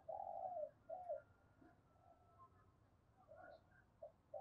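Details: Distant decoy spotted dove cooing in the morning to call wild doves; low, repeated hollow coos about twice a second over steady background hiss.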